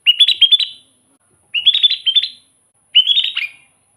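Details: Sooty-headed bulbul song used as a lure for trapping wild bulbuls: three short phrases of bubbly, rising-and-falling whistled notes, each under a second, spaced about 1.5 seconds apart.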